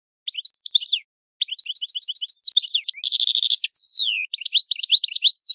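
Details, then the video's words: Italian European goldfinch singing in the old Italian song style: twittering phrases of rapid high chirps, then a dense buzzy trill and a long descending slurred whistle, followed by more quick liquid notes, with no other sounds. "Il canto del cardellino italiano ,il vecchia canto"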